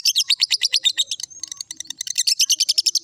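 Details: Ngekek chattering of a lovebird: fast, shrill, scratchy chirps repeated in quick succession, loosening into irregular squeaky notes midway before returning to a brisk, even run of piercing high notes.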